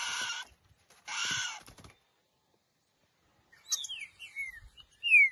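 Two harsh rustling bursts, then a short green-winged saltator phrase of clear whistled notes, sliding down and ending in a loud rising whistle.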